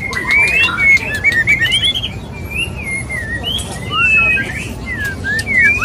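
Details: Male white-rumped shama courting a female, a mating call: clear whistled notes and quick rising and falling slurs, with sharp clicks scattered throughout over a steady background hiss.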